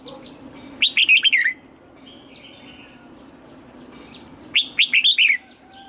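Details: Morning singing by a Red-whiskered bulbul in training, said to give a wild-style double-note song: two bright rolling phrases of quick, warbling notes descending in pitch, separated by about three seconds of softer background chirping.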